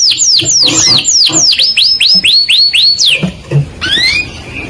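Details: Canary song of quick, repeated descending whistled sweeps, several per second, then a pause and a couple of rising slurred notes, with low background rumble.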